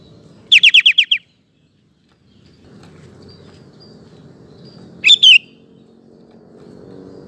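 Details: Sooty-headed bulbul song meant to provoke male bulbuls to reply: a quick run of six rapid rising-falling whistled notes, then after a pause a slurred two-note phrase, low droning noise underneath.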